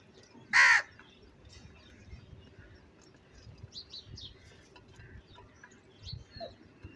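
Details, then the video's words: An angry crow gives one loud, harsh caw near the start, then faint chirps from small birds over a low rumbling background. "Very loud voice of Crow sound - Angry kauwa ki awaz"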